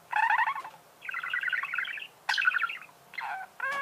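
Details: Budgerigars singing: dense bursts of raspy, buzzy chatter with rapid stacked notes, four phrases separated by short pauses, ending in a squeaky rising note.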